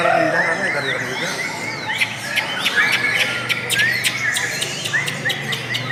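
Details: Lovebird song with sharp squawking chirps and clicks in rapid irregular bursts over a running high chatter of short slurred whistles.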